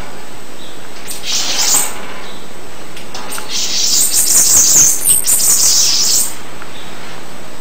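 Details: Bananaquit song in two parts: a brief thin opening phrase, then a longer, very high, hissing trill of jumbled rapid notes lasting nearly three seconds.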